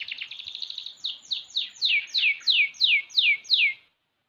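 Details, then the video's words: Six-month-old canary singing a quick rattling series that slows into about nine loud downward-sweeping whistled notes, evenly spaced, then stops into silence. "KENARI MUDA GACOR//Kenari umur 6 bulan udah kayak gini !!"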